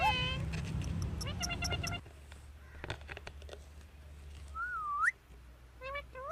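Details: Green pet parrot, said to talk in Urdu, giving loud harmonic calls in a quick run for two seconds, then a quieter stretch with a single rising-and-falling whistle near the end.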